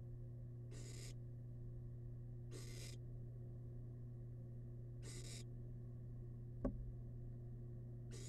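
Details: Wild barn owl chick in a monitored nest box, feeding on rabbit leftovers: four harsh, breathy hissing bursts, each about half a second long, repeated roughly every two seconds over a steady low electrical hum, with one sharp click.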